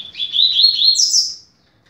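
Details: Double-collared seedeater, a 'rápido de bico' style song used to teach young birds: one phrase of quick warbled notes that climbs and ends in a higher, buzzy flourish, lasting about one and a half seconds in a quiet setting.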